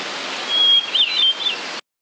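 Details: Hermit Thrush singing one phrase: a sustained pure whistled note followed by a quick ethereal tumble of higher and lower fluty notes, over a constant rushing hiss like falling water.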